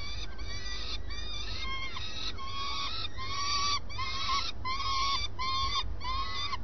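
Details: Common swift at the nest early in the morning, giving a steady series of loud, arched, harmonic calls, about one every half-second to second, over a low continuous rumble.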